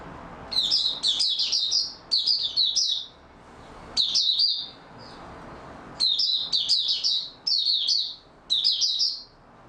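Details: Oriental white-eye opening its song in stable form, recorded 28 February 2022: high, rapid, jumbled twittering phrases repeated about every one to two seconds, separated by short silences, with a faint room hiss.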